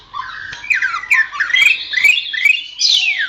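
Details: Greater green leafbird song for training songbirds: a continuous string of fluid slurred whistles and rising phrases, varied and melodic, ending in a loud buzzy burst.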